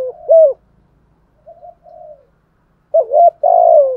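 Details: Spotted dove used as a decoy, cooing in the morning to call a flock: low, mellow coos in two loud bursts, with softer, quieter coos in between and nothing else audible.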